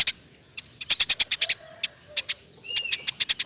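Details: Eurasian tree sparrow in 'roll tembak' song used to tutor songbirds: uneven runs of sharp high chirps with gaps, plus faint lower whistled notes in the background.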